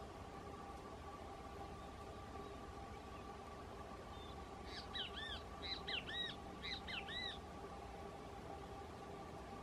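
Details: Fulvous whistling ducks feeding at San Miguel del Monte on 05-06-2020 give a burst of squeaky, arched whistles in quick overlapping pairs for about three seconds, over a steady low mechanical hum.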